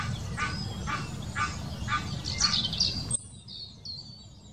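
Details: Egyptian goose mating call recorded in the Wittlicher Senke in 2018: five rough, regularly repeated honks about twice per second, then quieter high whistled notes from other birds against faint low background noise.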